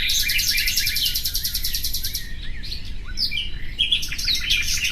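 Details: A nightingale pours out a two-second rapid trill of repeated notes. Looping slurred whistles and short buzzy figures follow, then a dense cluster of sharp chirps, all over steady low hum.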